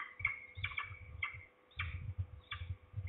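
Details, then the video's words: At Trzebież, Poland, on a September 2019 afternoon, at least two falcons call, maybe a young bird or parent. A few scratchy, drawn-out notes sound over a steady low rumble of background noise. "We hear at least two falcons (closer, below)."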